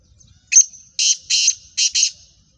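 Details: Speeder call of a black francolin, kala teetar, of a Gangas Sheedi cross in the Nasal Chakri Wala line. A brief clipped opening note is followed by four rasping, buzzy syllables: one, one, then a quick double. Nothing else is audible.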